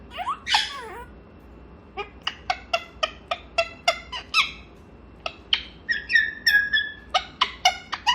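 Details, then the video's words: Morning chatter from a pet grey parrot: a sharp downward whistle opens, followed by a fast, even series of short harsh notes and then a burst of warbled, ringing whistles. "회색앵무의 아침 수다 시간!!"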